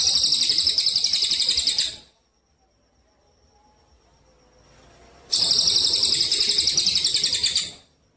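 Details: Javan munia contest-training recording: fast, high-pitched buzzy trills pulsing about three to four times a second, a two-second run, a three-second pause, then another two-second run.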